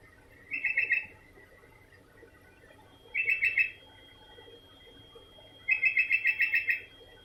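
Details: Sooty-headed bulbul calling on and on, three bursts of rapid, bubbly repeated notes spaced about two to three seconds apart, the last phrase longer with around eight notes, over a low background hum and a steady faint tone.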